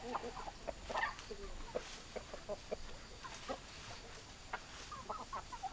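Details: Chickens, hens clucking: a loose scatter of short, clipped clucks at irregular intervals, some doubled, over a faint steady background hiss.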